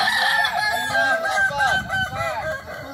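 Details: Kukuak Balenggek rooster crowing at a joint practice session run like a crowing contest, where birds are judged on how often they crow; a chain of short arched, stepped syllables, with other crowing birds faintly behind.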